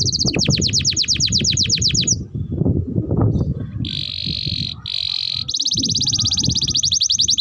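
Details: Canary song used as a tutor and lure for young canaries: a fast run of descending notes, a short pause, two steady buzzy rolls, then a rapid rattling trill to the end over low background rumble.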